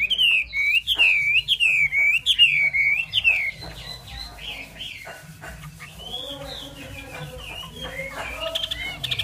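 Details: Loud, clear whistles from a Chinese hwamei, repeated as rolling looped notes about three times a second. The song then softens into scattered, varied warbles over a faint low hum.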